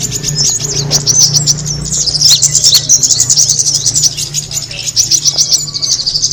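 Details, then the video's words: A kemade bird's lure sound of fast high-pitched twittering that runs on throughout, thickest in the middle, with scattered clicks and a low steady drone beneath. "the sound of the kemade bird attracting noise"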